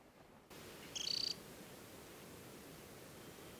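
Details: Ringed adult Temminck's stint on the Hardangervidda mountain plateau in Norway, early July, at Tinnhølen lake; one quick, high, rattling trill of rapid pulses after a moment of near silence.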